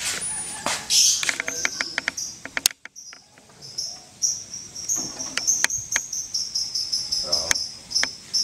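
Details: Contest-winning lovebird from Klaten, Indonesia, delivering its ngekek: a long unbroken high, thin, buzzy chatter held steady through the second half, preceded by sharp clicks and ticks, with a brief silent gap near three seconds.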